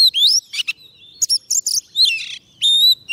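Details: Oriental magpie-robin, fed soft food, singing to call wild birds: sweet rising whistles alternating with short harsh bursts and high chirps, ending in a long level whistle.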